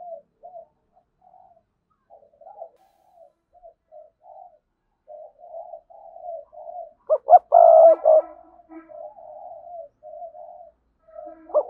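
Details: Decoy spotted dove with a lively driving voice; a long run of soft, low, murmuring coos broken by one loud phrase of two sharp notes and a sustained coo.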